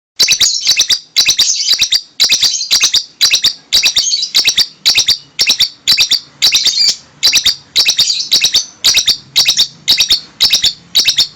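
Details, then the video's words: A lovebird making a strange sound: loud, shrill chattering in rapid bursts of clicking notes. The bursts repeat about twice a second across the whole stretch. "Lovebird paskun suara aneh"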